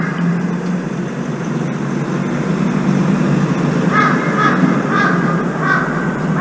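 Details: Crow, one of two arriving to feed near apartment blocks, the late one calling as if demanding a turn at the food: four harsh, hoarse caws in the second half over a steady low rumble of traffic noise.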